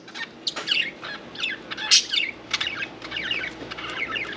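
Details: Domestic budgies, one in the bath, chirp in short squeaky notes and soft warbled trills, steady and lively with small gaps.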